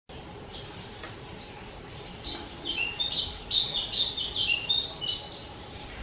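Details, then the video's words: Two-year-old pet skylark recorded 18 April 2023, starting with short high whistled phrases, then building into a dense, rapid, continuous warble of twittering high notes, with a steady low hum behind. "Chim Sơn Ca 2 Tuổi"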